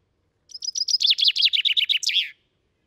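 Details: Common chaffinch in Britain, recorded with a Sound Devices MixPre 6 II and Telinga Stereo Mk 3 parabolic, singing its powerful song: a quick run of bright notes that speeds up and drops in pitch, closing with a sharp flourish, under two seconds.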